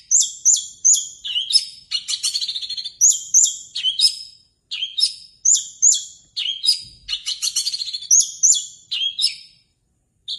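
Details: Orange-headed thrush, a kept songbird from Indonesia, pours out high, rapid, looping whistled phrases repeated in quick bursts, with sharp downslurred notes and chattering runs, pausing briefly every second or two; no other clear sounds.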